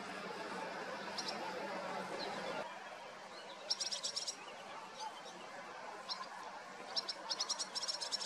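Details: Two large, flight-capable barn swallow chicks give short bursts of rapid, high, scratchy twittering begging calls while both parents feed them, over a steady background hiss and murmur at the start.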